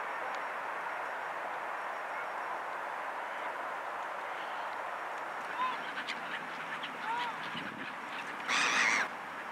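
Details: Wintering black-headed gulls along the Danube waters of Vienna, January to February 2015: a few soft, faint notes, then near the end one loud, harsh, harmonic call, all against continuous broadband water and city noise.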